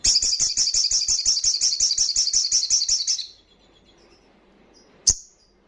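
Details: Crimson sunbird from the wild, singing loudly to stir breeding condition and aggression in untrained birds: a rapid, high, rattling trill of evenly repeated notes for over three seconds, then quiet and a single sharp chirp.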